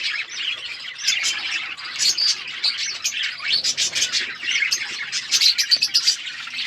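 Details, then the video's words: Flock of budgerigars kept in an outdoor aviary, giving busy high chirping: many overlapping warbled notes and quick tweets, with sharper repeated chirps near the end. "Wild budgies in my outdoor aviary birds chirping sound"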